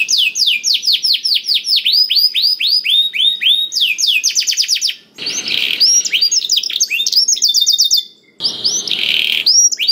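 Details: Canary singing steadily, meant to stimulate reluctant canaries into song. Rapid series of sharp downward-swept notes change into fast trills, with two brief breaks and bright buzzy rolls between phrases.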